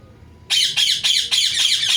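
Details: Pet talking parrot giving a run of harsh, loud squawks, about five raspy bursts in quick succession after a short quiet start.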